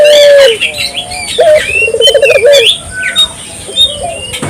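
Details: Barbary dove calling, intended to draw calls from local doves: a couple of low coos with rapid trilled pulses, while many high chirps and whistles from other birds fill the background.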